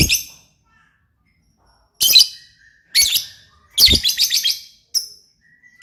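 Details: Gacor lovebird song in short, scratchy bursts of shrill chirps separated by brief silences, with one longer chattering phrase in the middle.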